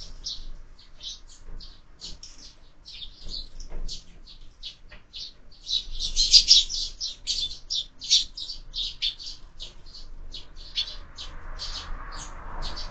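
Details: A squabble among sparrows at a window feeder used for year-round feeding: a long, busy stream of sharp high chirps, densest and loudest midway, with a faint low hum beneath.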